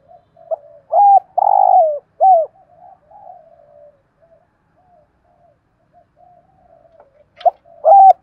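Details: Decoy spotted dove cooing to lure wild doves near home and forest; phrases of short low notes then a long, loud, slightly falling coo, one phrase early and another starting at the end, quiet soft coos between.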